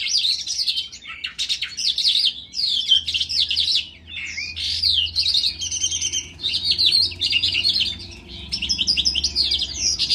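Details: Lark song in the dzhurbay style, recorded in a ravine: bursts of scratchy, rapid high chirping and trills separated by short gaps, with a faint low hum underneath.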